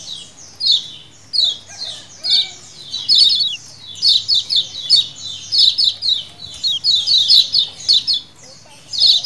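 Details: A flock of lemon-bellied white-eyes in wild-style 'ciakan' colony calling, used as a lure: sharp descending twitters in quick, irregular bursts that grow denser and busier toward the end.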